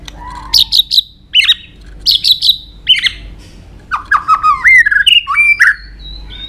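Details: White-rumped shama fighting song with doubled sharp clicking notes repeated about once a second, followed by a cascade of descending whistled slurs.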